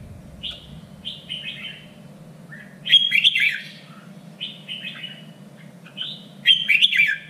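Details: Red-whiskered bulbul in contest-training song, giving short slurred whistled notes then louder rich warbled bursts, roughly every two to three seconds, with a steady low background hum.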